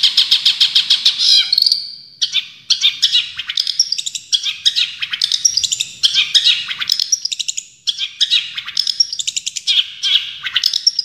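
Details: Tembakan song of a champion Long-tailed shrike: a fast trill, then a continuous run of choppy, high chattering phrases and short whistles, delivered energetically with barely any pause.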